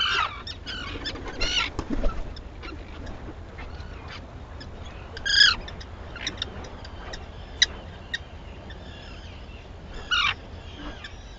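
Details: Arctic terns on Seal Island, Maine, at sunrise on 11 June 2018. Scattered sharp calls and clicks, with a burst of loud harsh cries near the start and two strident screeches later, over quiet background noise.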